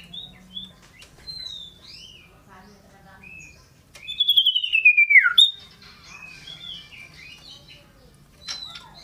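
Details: Scarlet-headed flowerpecker, an energetic singer hopping about, gives soft scattered high chirps, then one loud buzzy phrase gliding steadily downward in pitch for about a second.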